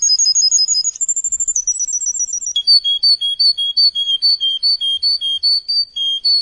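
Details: Tutor song for young canaries: a quick string of bright, high repeated notes, a held whistle, then steady two-tone notes repeated about three times a second.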